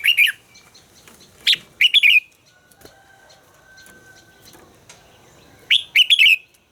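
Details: Red-whiskered bulbul during voice training, singing loud, fired-up phrases: short bursts of bright, warbled notes near the start, a pair around two seconds and another at the end, with a faint steady tone between them.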